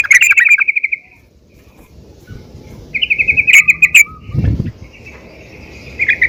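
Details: Calling by a female yellow-vented bulbul, meant to rouse other bulbuls to sing: short bursts of quick chattering notes separated by quiet gaps, with one brief low thump.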